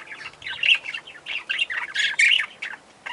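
Lineolated parakeets chatter in quick bursts of harsh, squawky notes with a few high, whistled chirps mixed in, several calls every second.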